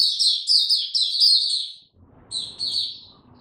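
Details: Caged white-eye opening its song, given no supplements: a loud burst of high, fast twittering, a short pause, then quieter twitter phrases over low background noise.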